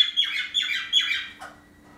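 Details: Morning calls of pet parrots indoors, females tending a male with a bandaged broken wing; four harsh falling chirps in quick succession, then a lower squawk and quiet.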